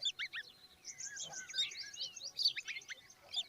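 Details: Common babbler babies beside their mother. Busy overlapping high chirps and squeals crowd together in a short, excited chatter.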